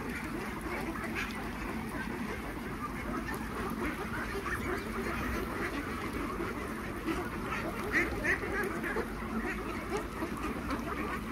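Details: Feeding time for roughly 3000 farmed Khaki Campbell ducks: a constant, crowded mass of nasal quacks, with a few louder calls poking above the general roar near the end.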